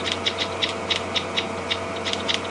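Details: On an afternoon safari drive at Djuma Game Reserve on 2 June 2015, a Chinspot Batis alarm-calls at lions, very upset: dry, high clicking notes, about five per second and unevenly spaced, over a faint low hum.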